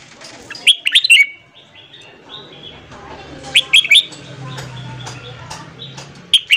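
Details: Red-whiskered bulbul singing in the morning to train newly caught birds: three bursts of bright whistled notes, about three seconds apart, over a faint low rumble.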